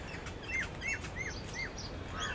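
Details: Western swamphen feeding with its chicks: a quick series of five short, sharp, down-slurred notes, one roughly every third of a second, over a steady low rumble of background noise.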